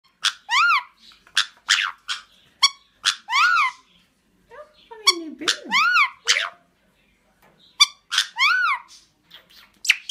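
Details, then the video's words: A caique gives loud, harsh, rising-falling squawks and whistles in quick bursts, with a few lower chattering notes in between. "Let's dance and sing with the caique"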